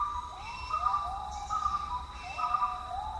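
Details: Buffy fish owl in Khao Yai National Park giving mid-pitched, wavering wails that rise and level off, three in quick succession, over a steady high insect drone.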